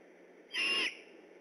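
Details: Night of 3 October 2015 at the Decorah eagle nest, where a great horned owl went on alert: one short, raspy, hissing screech with a whistled core, roughly four tenths of a second long.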